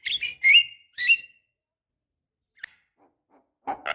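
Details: Javan myna, a female calling a male, used as a lure to make other birds sing: three harsh, buzzy notes in quick succession, then a short click and a rough burst after a pause.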